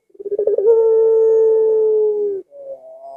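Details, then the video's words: Puter collared dove, said to be mild in temperament, delivers one 'lengkungan' coo: rapid pulsing onset, then a smooth sustained low tone of nearly two seconds, then a quiet rising note. "Tidak Terlalu Agresip Tapi Lengkungannya Bikin Puter Lain Ga Sabar Ingin Ikut Bunyi"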